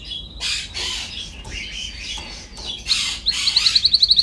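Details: Canary singing on a training recording meant to teach other canaries: harsh buzzy phrases give way to a fast, evenly pulsed trill of high clear notes at the end.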